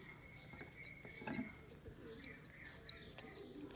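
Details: Rescued baby rock pigeon, abandoned by its mother and taken from a neighbour's roof, on its second day in care: thin high squeaks, each a short arched whistle, repeated about twice a second with brief pauses between.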